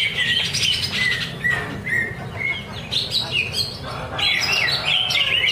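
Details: Caged greater green leafbird singing at a practice bird-singing contest at Danau Bumi Restu, Cikunir: bright whistled phrases and quick chattering notes, with a sustained high whistle early on. Other birds overlap throughout, and a low rumble of crowd noise sits underneath.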